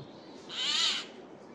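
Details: A Eurasian jay in woodland on 15 April 2024 gives a loud call while moving between trees: a single hoarse, rasping screech lasting about half a second against faint background hiss.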